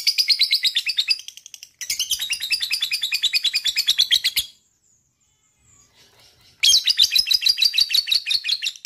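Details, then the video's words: Lovebird trilling to prompt other lovebirds to trill: long runs of rapid, harsh high-pitched pulses, about three per second, with a pause of roughly two seconds before the trill resumes. "DENGARKAN suara LOVE BIRD ini,,bisa m3micu lb untuk ngekek"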